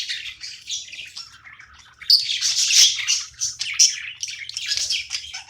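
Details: Budgie at play, chattering continuously: soft scratchy warbling that grows louder and busier halfway through, with a few sharp squeaky notes and a low background hum.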